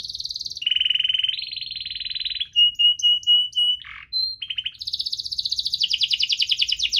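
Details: Canary in full, vigorous song with chirps and rolls, used as a lure for reluctant singers: held high whistled tours change pitch every second or so, then clipped notes, a brief low dip, and a fast buzzy trill to the end.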